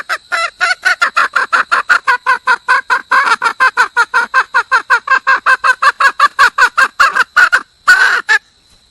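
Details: A female junglefowl calls to attract a mate with steady, rapid, coarse clucking repeated close to three times a second for several seconds, then one louder, longer squawk at the close.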